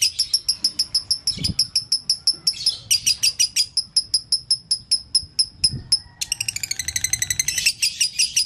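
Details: Lovebird singing dobelan, called konslet: quick high chirps with a couple of low thumps in the background, ending in a very rapid, ringing trill of stacked notes.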